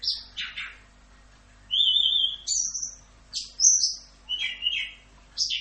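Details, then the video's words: Orange-headed thrush tutor song in the full 'Rock'n Roll' style for training songbirds: a slurred opening, then long, level, clear whistles at two pitches, followed by short, varied whistled phrases with pauses between. "MASTERAN ANIS KEMBANG FULL Rock'n Roll"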